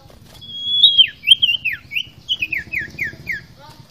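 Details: Common iora, a "fighter" bird in full song: a long, high whistle that swells slightly, then a quick run of about eight clear, down-slurred whistled notes, with a faint low hum underneath.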